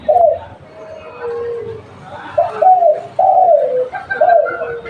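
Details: Local spotted dove kept as a lure, delivering several mellow, falling coos in a loose sequence, partly overlapped by faint voices and background noise.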